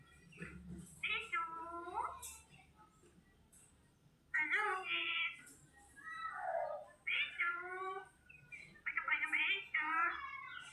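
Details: Pet parrot imitating human speech, saying "Allah hafiz": a few speech-like phrases, raspy and nasal with wavering tones, separated by short pauses, indoors.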